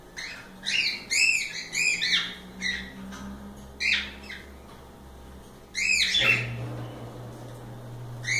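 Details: Free cockatiels playing and enjoying themselves; a quick run of harmonic chirps and squawky notes in the first two seconds, scattered calls after, and a low steady hum starting near six seconds.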